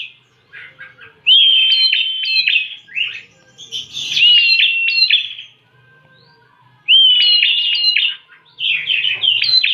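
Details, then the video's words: Lure recording of a Bar-winged prinia: high, sharp song phrases of clipped chirps and drawn-out whistles, repeated about every four to five seconds with short silences between. "pancingan burung prenjak"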